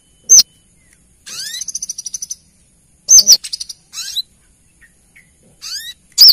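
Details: Lure recording of a female brown-throated sunbird calling to the male: a high hooked chirp, then a fast buzzy trill with a thin upslurred whistle, repeated in short spaced bursts, no other noise.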